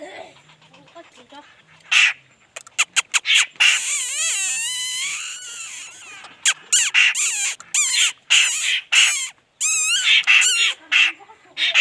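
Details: Laughingthrush in full song: a long, rich, warbling phrase that dips and swoops, followed by rapid clusters of short, harsh, bright notes, repeated in uneven bursts.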